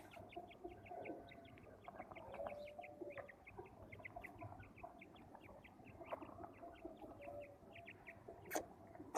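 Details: Several male quails calling at a village, brisk high clipped notes repeated in long rapid runs, with a few louder sharp knocks and a low background hum.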